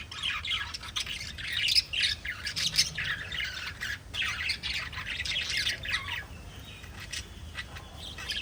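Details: Budgerigars kept as pets keep up a busy, scratchy warble of high chirps and squawks, the calls running almost without pause over a quiet hiss.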